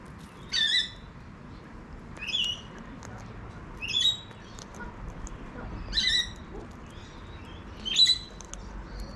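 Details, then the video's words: Wild cockatoo calling in a backyard in Adelaide, South Australia: five short, harsh, ringing squawks repeated roughly every two seconds over faint background noise. "Bird Blog: Wild Cockatoo"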